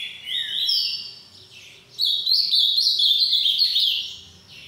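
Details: Boiadeiro-type song of a green-winged saltator in a breeder's collection: a brief whistled opening, a pause, then a rapid run of bright high warbled notes lasting over two seconds.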